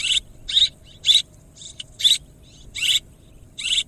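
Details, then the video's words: Swiftlet sounds: clipped, bright chirp bursts, each a quick cluster of high twitters, spaced about half a second apart at an uneven rhythm; nothing else audible. "ສຽງນົກແອ່ນ ຄໍເລດ Tiếng én, Tiếng Chim Én เสืยงนกแอ่น คอเลด"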